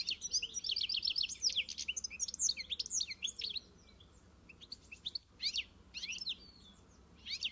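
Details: Song of a European goldfinch, a rapid liquid twittering of high chirps and trills for several seconds, then sparser scattered notes after a short silence.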